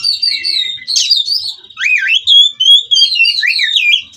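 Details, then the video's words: White-rumped shama (kacer) song delivered without pause: sweeping whistled notes rising and falling, loud twisting slurs and buzzy chatter running continuously. "Kacer Ini Ngerol Tanpa Henti"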